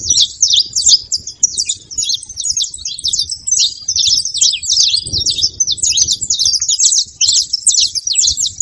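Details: Continuous high, scratchy twittering from a saffron finch, quick chirps tumbling one after another for several seconds over faint low background hum.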